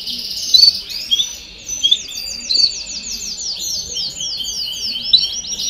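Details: Canary song in baderna style, used to stimulate young birds to sing: dense, continuous high chattering trills of quick repeated notes, slightly softer, with scattered sharp whistled accents.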